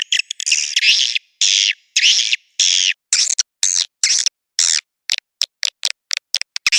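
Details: Swiftlet lure call of the mating (birahi) type, used to attract swiftlets: dry, buzzy chirps in bursts, longer at first, then shortening into quick clipped notes, separated by silent gaps.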